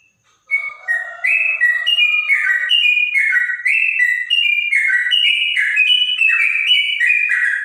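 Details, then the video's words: After a brief quiet start, a bonang trotok launches into rapid whistled notes, about two or three a second, sliding between pitches in a clear, bulbul-like warble; a faint low murmur sits underneath early on. "Burung trotok bonang suara bening rasa cucak rowo"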